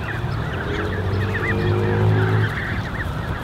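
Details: Constant high, upslurred peeps from a large creche of Canada goose goslings, over 30 young, on 13 June 2015, over a low steady hum with faint tonal bands from a distant engine or machinery.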